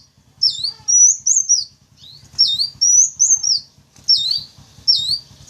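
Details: High sunbird chirps used as a lure for wild wulung, kaca and jentit sunbirds: repeated bursts of a dipping note followed by a thin rising whistle, about every second and a half, with soft low rumble behind.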